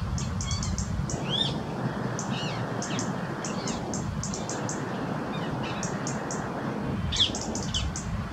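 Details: A European robin in a rose garden gives sharp, high ticks in quick irregular bursts, irritated by two Rose-ringed Parakeets on the branch above, over a steady low rumble with a few brief chirps.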